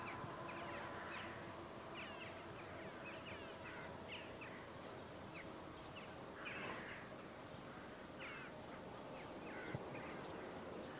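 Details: Western jackdaws gather in a flock ahead of a storm, giving scattered short, clipped calls at irregular intervals against a constant rushing background of weather noise.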